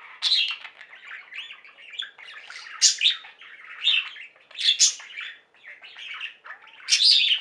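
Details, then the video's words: Pet budgerigar flock in song, continuous chattering warble with sharp high chirps breaking out every second or so over a steady buzzy babble. "Most Beautiful Budgie songs Ever: Budgies singing and chirping"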